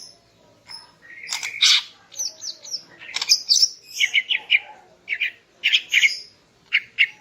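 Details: Morning song of a female greater green leafbird, used to stir a male into breeding condition; loud chattering bursts and whistled notes come in quick separate phrases, mostly high-pitched, with a faint low hum behind.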